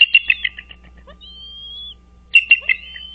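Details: Bald eagle at a lakeside nest on Dale Hollow Lake on the Kentucky-Tennessee line, 05:51 on 4 March 2023, giving a fast, high chittering burst, then a long thin level whistle, then another chittering burst, over a low steady hum.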